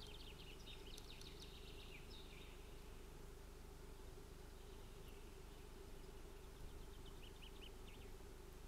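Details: Osprey scuffling at a Finnish nest on 25 June 2018: an opening burst of quick, high chirping notes, then softer scattered chirps near the end, over a steady low-pitched hum.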